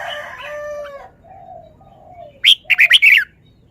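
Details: Caged red-whiskered bulbul showing off its song phrases: a quick burst of four or five loud, bright, slurred whistled notes near the end, after softer lower warbling and drawn-out tones at the start.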